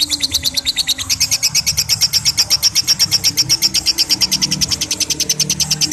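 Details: Unbroken 'ngekek' chatter from a lovebird, many rapid high-pitched notes rattled off steadily for the whole six seconds at a constant loudness.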